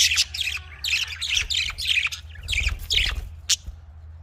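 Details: Budgerigars, called Australian parrots, in a cage for breeding: a quick run of harsh, buzzy chirps in closely spaced bursts, ending with one sharp note.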